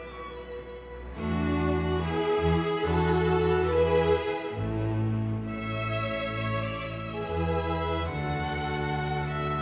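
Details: Slow orchestral music with sustained string chords fills the recording, no animal sounds.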